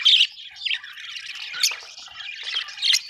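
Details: Happy budgies, Australian birds, in a busy chattering group. Rapid, squeaky, buzzy chirps overlap without pause, with louder shrill bursts at the start and end.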